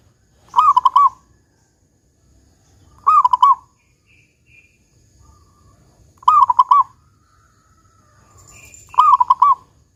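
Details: Local zebra dove giving its big 'kung' song: four separate phrases of rapid, rolling, mellow coo notes, each about half a second long, repeated every two and a half to three seconds, with faint background noise between.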